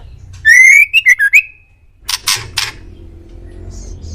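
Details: Indonesian male white-rumped shama master song for prompting pet birds to answer: a long rising whistle and three quick pulsed notes, then loud harsh rasping bursts and a low background hum.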